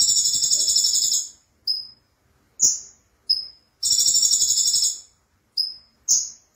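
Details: Sunbird, called konin, in lively song used for tutoring competition birds: long dry buzzy trills of about a second each, alternating with short sharp high whistled notes and clipped chips, in a clean, quiet recording.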